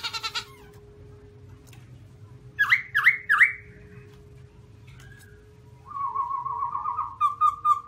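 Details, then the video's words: White-cheeked black-throated laughingthrush: three loud looping whistles, then a long wavering warble, over a constant low hum. "Garrulax chinensis white cheek singing, beautiful shape, singing sound or just like in the wild"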